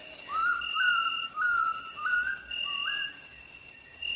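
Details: Oriental bay owl giving a series of about five eerie whistled notes, each sliding upward and then holding, spaced roughly half a second apart, over a steady high insect drone.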